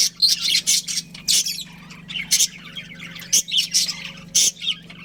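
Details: Pet budgerigars, a breeding pair, chattering in quick bright chirps and warbles, bursts every half second or so, with a constant low electrical hum beneath.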